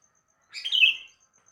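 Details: A sooty-headed bulbul sings in the morning: a single short, fluty, slurred phrase that swells and fades within about half a second in quiet surroundings.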